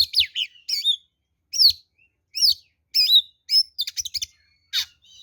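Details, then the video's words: Oriental magpie-robin (kacer) fighting song used as a lure: evenly spaced loud whistled phrases, each a twisting sweep, followed by a quick rattling series and a final harsh note. "SUARA BURUNG kacer gacor NGEPLONG TARUNG ini paling AMPUH buat PANCINGAN kacer NYAUT EMOSI"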